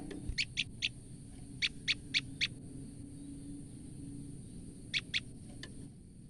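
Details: Female olive-backed tailorbird calling out of fright: short sharp ticking notes in quick groups of two to four, with pauses between bursts, over a low steady background hum.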